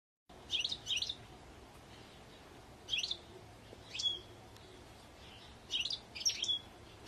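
A European goldfinch gives quick bursts of bright, tinkling twitters, each under a second long, in four spaced phrases over a soft, steady background hiss.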